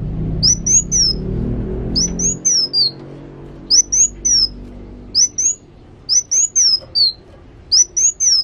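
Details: Sunbird singing actively, giving short, very high, thin whistled phrases of quick rising and falling notes, in bursts about every second; a low hum fills the first two seconds.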